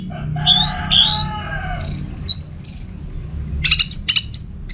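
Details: Home-kept orange-headed thrush from Singaraja, North Bali, singing rising whistled phrases with a lower steady tone beneath, then high falling slurs and a run of quick sharp chips, with faint low hum behind.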